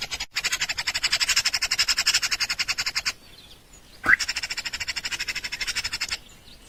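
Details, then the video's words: Nestling birds begging for food in their nest during feeding: long runs of fast, evenly pulsed raspy chirps, about four per second, broken by a short quiet gap with a single sharp note before the chorus resumes. "baby birds want food"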